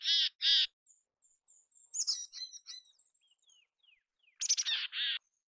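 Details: Mountain chickadee in natural habitat: two loud buzzy 'dee' notes, then a burst of mixed high chips and short whistles, ending with another stuttering run of buzzy notes.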